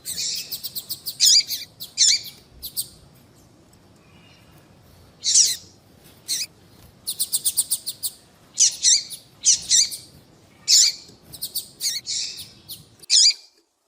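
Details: Female seedeater calls meant to set males singing: bursts of rapid high chirps, some quick ticking runs, grouped in irregular clusters over a fairly quiet background.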